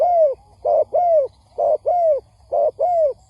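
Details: Spotted dove lure call for trapping, with three clear coo pairs, each a short hoot then a longer falling hoot, spaced about a second apart.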